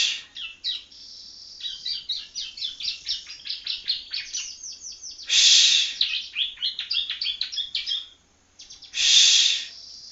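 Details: Juvenile Yellow-bellied Prinia in Palembang practising song: a long, dense run of sharp high chirps and trills, broken twice by loud hissing buzzes.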